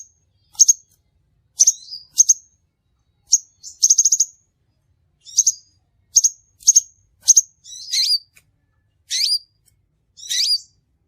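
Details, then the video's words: Trapping lure of a crimson sunbird: crisp high chip notes and a short rapid ticking burst, followed by several wavering, swooping twitters toward the end. "suara burung sepahraja ampuh"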